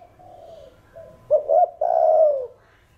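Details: Caged spotted dove cooing to spur other doves, earth-toned style: faint soft coos, then two quick hooting notes and a loud, drawn-out, softly falling coo.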